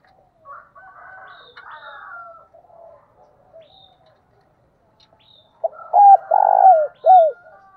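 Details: Faint twittering of other birds first, then a loud decoy spotted dove gives its phrase: quick pip, hooked note, a purring buzzy note and one falling coo.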